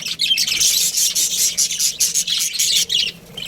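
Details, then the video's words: Young budgerigars kept in an aviary, loud continuous high-pitched twittering and squawking from many birds, dense and unbroken until a brief fade at the end. "Baby Budgies Chirping Sounds"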